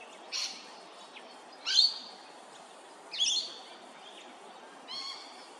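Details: Immature pied butcherbird at Hervey Bay, Queensland, giving four spaced, short squeaky calls, each a few harsh upslurred notes about a second and a half apart, over steady background hiss.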